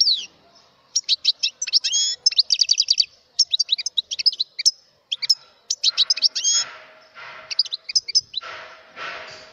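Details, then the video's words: Mutation goldfinch in sustained song: a long run of rapid, high, tinkling twitters and trills with short liquid whistles and brief gaps, some fainter rustling or background noise toward the end. "تغريد #الحسون_الطفرة"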